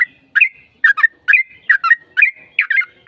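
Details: Sooty-headed bulbul in fighting song with long rapid rolls, used as a lure to make other bulbuls answer; short bubbly whistled phrases of two or three rising and falling notes, repeated about every half second, on a quiet background.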